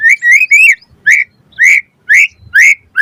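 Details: White-rumped shama song used to coax other birds to sing: a drawn-out warbled phrase, then clear upslurred whistles repeated roughly twice a second.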